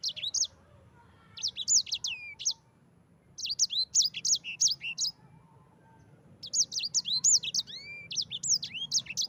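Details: Yellow-fronted canary rolling 'ngerol' song, used as a training master for other canaries. Four phrases of quick, high, looping whistles come with short silent gaps between them.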